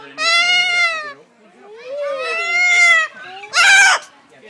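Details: Captive blue-and-yellow macaw at Walter Zoo in Gossau, Switzerland, making voice-like sounds: two drawn-out harmonic calls with rising and falling pitch, then a short harsh burst.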